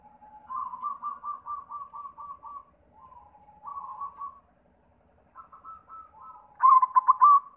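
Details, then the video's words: Zebra dove of the white variety singing to lure other doves: a run of about eight quick even coos, a short pause, softer notes, then a louder rapidly pulsed trilled phrase at the end. "Sura Perkutut pitih PAMCINGAN SEMUA JENIS PERKUTUT"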